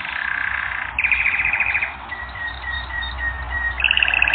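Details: Canary song from a training recording: bright rolling trills and rapid pulsed tours in a high register, switching to a thin repeated chirp phrase midway, then a fast trill returning, over a faint low background hum.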